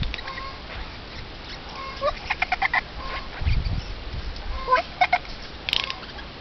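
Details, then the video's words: Eurasian jay (Garrulus glandarius) gives short, harsh rasping bursts in quick clusters with a few softer whistled notes between, over a low rumble of wind or handling; a crow relative that can imitate other birds' sounds. "GAITA (Garrulus glandarius)"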